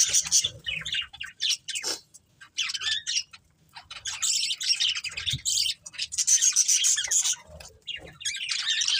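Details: Several budgerigars from a breeding pair's family chatter in rapid, scratchy high chirps, broken by a near-silent gap around two seconds, then dense warbling resumes and continues to the end.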